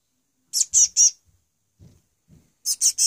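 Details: Hand-fed chick on its second day calling for food: two groups of three loud, high scratchy squeaks separated by soft low rustling.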